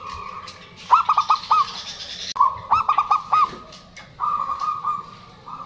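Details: Calling zebra doves, male and female answering, played to coax silent birds into song: bursts of rapid staccato notes linked by long even trills, phrases recurring roughly every couple of seconds.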